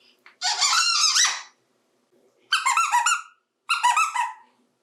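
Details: A 28-year-old pet African Grey parrot, a male adopted in 2017, vocalizes while playing in a bathtub. Three squeaky, voice-like phrases are heard: one long warbling phrase, then two shorter ones, separated by silence.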